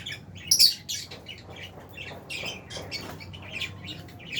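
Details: Close, loud shrill squawk opens a run of harsh high chirps from albino and Fisher's lovebirds in an aviary, followed by quicker scratchy tweets from other birds.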